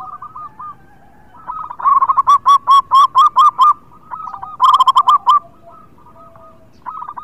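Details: Energetic local zebra dove song meant to coax silent birds into singing: a long run of even, bouncing coo notes, then a second rolling burst, while quieter doves coo throughout the background.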